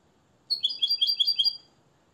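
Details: Captive-bred Moroccan European goldfinch taught the limpio song style gives a short phrase of about six crisp, evenly spaced high chirped notes, alternating two pitches in a quick tinkling rhythm; faint low room hum.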